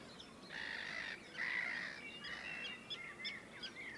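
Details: Northern lapwing (Vanellus vanellus), a bird nesting in the Audomarois marsh, calls: harsh, wheezy bursts, then a run of short slurred 'pee-wit' notes rising and falling, several per second, over light wind.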